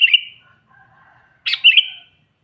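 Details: Sooty-headed bulbul calling toward wild bulbuls: two brief bubbly whistled phrases, the second with a sharp onset followed by a short warble.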